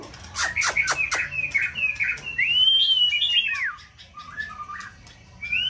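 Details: Caged white-rumped shama singing in a varied contest test, in peak season: sharp clicks then long whistled, looping slurred notes sweeping up and down, followed by softer lower whistles.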